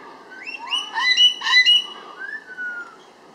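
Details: Sulphur-crested cockatoo loose on a porch in Haverstraw, New York, over a weekend, making a loud racket: a cluster of rising, harmonic squawks for about two seconds, then a long, flat, drawn-out note.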